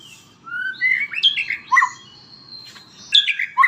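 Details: White-rumped shama singing a lively mix of clear whistles, slurred rising notes and sharp chips in quick succession, pausing briefly before another burst.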